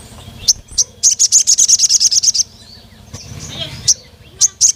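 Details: Sogon (crimson sunbird) calling to a rival male: a rapid run of about fifteen thin, high, metallic chips lasting over a second, with scattered single 'cuit' notes before and after, low background hum throughout.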